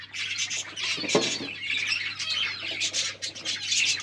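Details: Lovebirds mating non-stop, giving a dense, continuous stream of harsh, high squawking chatter with rapid overlapping notes, over a steady low electrical hum.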